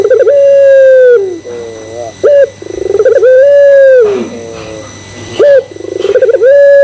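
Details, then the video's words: Barbary dove (puter pelung) cooing as a lure to set other doves cooing: three long coos in quick succession, each a short sharp note, a rapid pulsed roll, then a drawn-out steady low tone sliding down at the close. "Pancingan Puter Pelung Bikin Puter Pelung Yang Lain ikutan Gacor"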